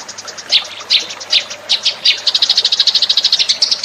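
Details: Eurasian tree sparrow lure call: scattered bright chirps that speed up into a rapid, even series of short, high notes.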